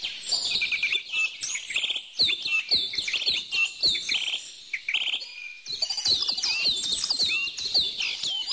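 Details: Several birds chirping together, bright twittering notes and quick rising and falling whistles crowding each other, with brief pauses and faint clicking sounds.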